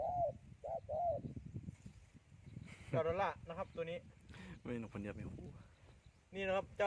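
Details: A Spotted Dove in forest by upland rice fields gives three soft, low coos in quick succession at the start, then a man talks over the rest.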